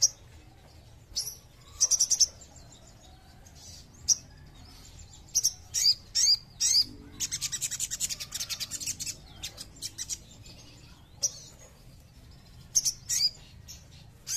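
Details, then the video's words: Sogon song used as a lure to provoke other birds to sing: very high, thin chirps and buzzy trilled bursts in irregular clusters, with a fast run of rapid repeated notes near the middle. "SUARA SOGON CEPAT PANCING EMOSI DAN BUNYI"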